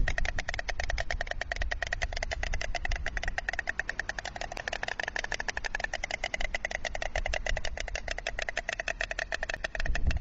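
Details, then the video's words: White storks at a nest in Alcalá de Henares, 26 November 2016 around 11:26, greet each other after one flew out and returned: a fast, steady wooden bill-clattering of about ten beats a second over low wind rumble. "white stork nest one flew out and returned they greet each other"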